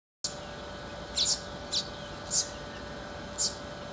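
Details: Male southern masked weaver (Ploceus velatus) building its nest near Magaliesberg, South Africa, in November, gives four short, high, sizzling chips at uneven intervals over a steady mechanical hum.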